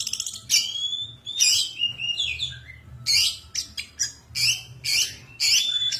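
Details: Vigorous 'gacor' song of an untrained 'bahan' long-tailed shrike: loud bursts of harsh, scratchy notes mixed with sliding whistles, given in short phrases about every half second, over a faint low hum.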